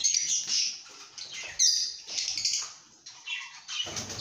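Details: Happy lovebirds giving short bursts of shrill, scratchy chirps and squeaks, broken by brief quieter gaps, including one sudden sharp squeal.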